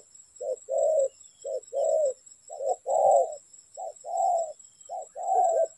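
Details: Spotted dove calling during bird trapping: four clear paired phrases, each a quick low coo then a longer mellow one, repeated roughly every 1.2 seconds over a faint constant high-pitched hum.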